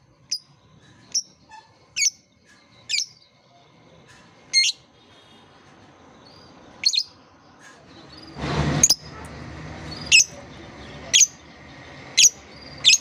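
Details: Lovebird therapy song to coax young lovebirds learning to sing: single piercing high chirps spaced about a second apart, with a brief burst of broad rustling noise midway.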